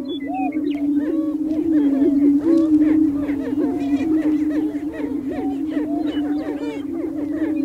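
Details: Lek of male greater prairie chickens on open prairie, spring courtship display: deep steady booming under a fast, dense stream of looping whoops and cackles, roughly four per second, from many birds.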